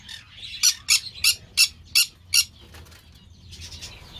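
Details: A captive green-cheeked parakeet kept by an amateur breeder gives six loud, harsh, grating squawks about a third of a second apart, followed by softer scratchy chatter and a faint low hum.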